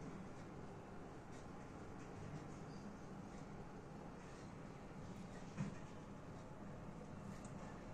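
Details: Steady low rumble of passing rail or road traffic, with no animal voice heard.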